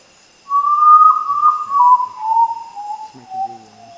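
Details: A common potoo (Nyctibius griseus), a nocturnal bird, gives a soft, mournful whistle that slides and steps downward over about three seconds, fading lower at the end, over a faint background hum.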